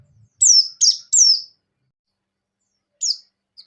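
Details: White-eye (buxtoni) in breeding condition singing in the ngecir sambung ngalas style: three quick, high, sharply descending whistled notes, then a pause and one more falling note with a faint final chirp.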